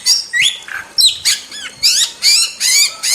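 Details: Wild starling giving a very lively masteran song: a few sliding whistles, then a run of loud, harsh, buzzy squawks in separate bursts, each lasting a fraction of a second.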